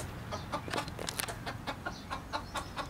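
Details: A broody golden bantam hen, sitting on nine eggs for nearly 21 days, is startled at her nest and gives a run of short, harsh clucks, about three or four a second, over low handling and rustling noise.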